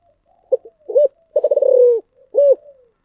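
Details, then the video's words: One thổ sấm style phrase from a spotted dove: faint short notes, a hooked coo, a throbbing drawn-out coo sinking in pitch, and a last arched coo with a soft tail; clean, silent surroundings. "cu gáy giọng thổ sấm thúc gù"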